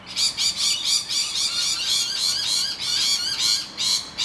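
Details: Distressed rainbow lorikeets defending their nest hollow from attacking noisy miners give harsh, grating high screeches in rapid bursts about twice a second, nearly nonstop, in a raucous chorus.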